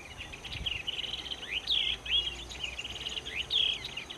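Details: Pair of yellow-eyed babblers giving busy overlapping high chatter, with sharp down-slurred whistled notes standing out about every second, over steady low background rumble.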